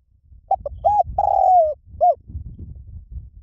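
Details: One full lio tan coo phrase of a spotted dove, meant for luring and training birds to coo in reply: quick short coos, a longer level coo, a long falling coo and a short closing note over soft low rumbling.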